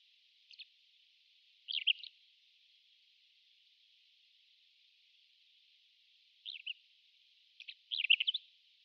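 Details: A Pied wheatear, a rare passage migrant on Japan's Hegura and Tobishima islands (Hegura filmed from 27 September 2003), gives short, scratchy, high chattering calls in four brief bursts with faint hiss.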